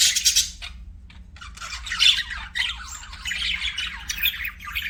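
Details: Budgies kept as pets give a burst of harsh chirps, then a short lull before scratchy, warbling chatter builds again, notes stuttering and overlapping in quick irregular runs.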